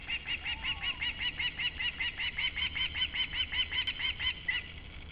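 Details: Osprey calling in the background in Latvia on July 28, 2012: a long, steady series of short, clear whistled notes, about two and a half per second, with low rumbling noise underneath.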